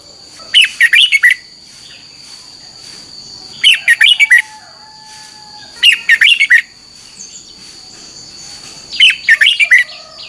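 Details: Red-whiskered bulbul singing its morning song for voice training, 2021: four brisk bursts of tumbling, whistled chirps, each under a second, repeated roughly every two to three seconds, with a thin constant high hum between them.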